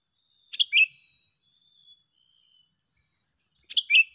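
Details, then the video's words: Two sooty-headed bulbuls trading song: a bubbly two-part phrase, a faint thin whistle in the gap, then the same bright phrase again about three seconds later. "Adu Gacor yang tak Terselesaikan Antara dua petarung"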